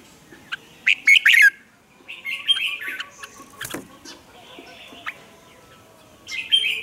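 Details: Caged red-whiskered bulbul in Vietnam used as a lure bird to train other bulbuls' voices: short bright whistled phrases in bursts near the start, mid-clip and end, with a sharp click around four seconds.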